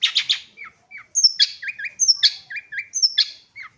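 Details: Long-tailed shrike (cendet) in lively song: opens with three rasping squawks, then high slurred whistles alternating with lower, short upturned chirps in a varied, chattering sequence.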